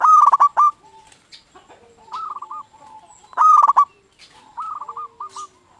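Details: A local zebra dove used as a lure bird gives loud, burry, trilled coo phrases, two of them, while fainter doves reply with shorter rolling coos in the pauses.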